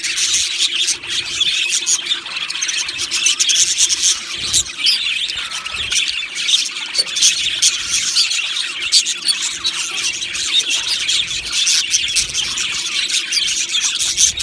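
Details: Australian budgie colony in an aviary: harsh squawks and raspy notes mixed into a long, dense bed of high chattering and chirping from many birds, steady with frequent louder peaks.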